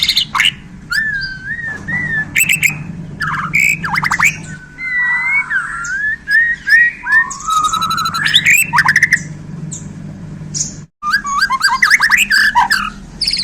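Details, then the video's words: Borneo white-rumped shama, freshly handled, pouring out isian fills: a long varied medley of twisting whistles, rattling buzzes, sudden downward swoops and sharp chips, with a brief break near the end, over a steady low hum. "Murai Borneo Ini Langsung Kasih Isian Pedas!"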